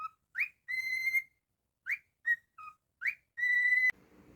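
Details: Pet cockatiel whistling a tune: short rising chirps alternate with long, steady, clear whistles held for about half a second, in a repeating phrase with pauses between. A soft rustle follows at the end.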